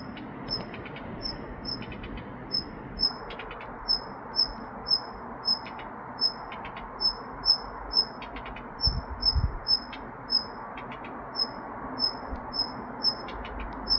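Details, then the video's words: Daurian redstart giving a long series of thin high whistled notes, often in quick pairs, mixed with short dry clicking tack notes in small bursts; low hum and faint thumps sit beneath. "딱새 울음소리 The sound of a red-breasted bird crying"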